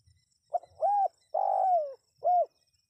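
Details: Full spotted dove phrase played to attract wild birds: a quick clipped note, a rounded coo, a long downward-sliding coo and a short arched final note, all low and clear over a faint steady high tone.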